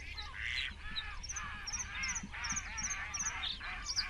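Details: Nesting great crested grebes, around twenty birds crowded together, 21 June 2024; a steady series of harsh, nasal, arched calls roughly every half second, with thin high chirps from other birds above.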